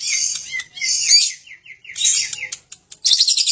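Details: Lovebird song meant to trigger other birds' singing: varied squeaky, twittering phrases with short sliding notes, broken by brief pauses, ending in a harsh chattering burst.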